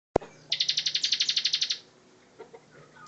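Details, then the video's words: Bar-winged prinia, a master bird singing in the energetic ngebren style: one rapid, even trill of about fifteen bright high pulses lasting just over a second, then a couple of faint soft notes. "Ciblek Gacor Ngebren"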